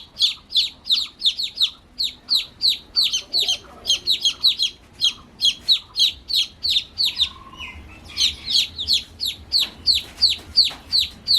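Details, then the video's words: New baby chicks peeping nonstop, shrill downward-slurred notes in quick runs of about three per second, with a brief lull and a low hum midway. "Cute New Baby Chicks Chirping Sounds"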